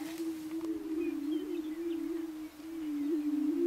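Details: Lekking Greater prairie chickens at Switzer Ranch, Nebraska, 2011, give an unbroken deep hooting hum that swells and dips. Faint thin whistles sound in the background.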